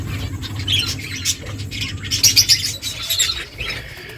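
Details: Finches eating and calling with bright, high-pitched chirps, scattered singly and in quick runs, with a low rumbling hum underneath.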